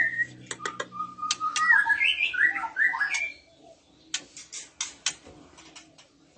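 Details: Female oriental magpie-robin in breeding condition drawing male replies: sharp ticks, then a loud tangled warble of rising and falling whistles, followed by a series of dry clicks.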